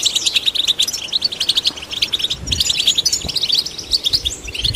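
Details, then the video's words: Goldfinch vocal performance to stimulate goldfinches: quick tinkling notes in rhythmic bursts, growing into dense jingling chatter, with light low thuds near the middle. "Golden Songbird vocal performance to stimulate the goldfinch"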